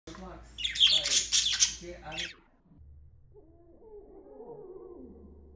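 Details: Pet budgerigars give harsh, scratchy squawks, followed by a slow-motion version that sounds deep, growling and dinosaur-like.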